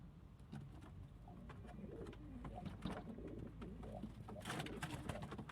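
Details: Kept pigeons of local, Indian, Chinese and homing types: low murmured cooing phrases under frequent clicks and knocks, with a burst of rustling or wing noise near the end.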